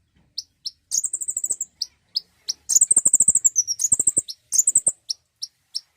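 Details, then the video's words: Common iora singing, used to encourage a bird to sing: very high, fast trills of even notes alternate with single sharp chips, several trills in six seconds. "pancingan bunyi burung konin!"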